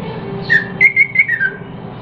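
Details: Yellow-vented bulbul learning different songs, recorded 14 September 2021; a brief run of clear whistled notes rising then gently falling, linked into one smooth phrase over a faint low hum.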